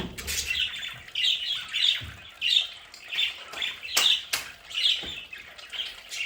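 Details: Several pet budgerigars at home give harsh, repeated squawks roughly every second, each a short scratchy burst, with sharp clicks and low knocks between calls.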